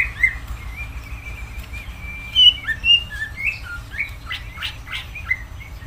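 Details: Cucak ijo, the greater green leafbird, in energetic gacor song. Clear sliding whistles flow into quick rising and falling phrases, ending in several sharp, scratchy notes. A faint low hum runs underneath.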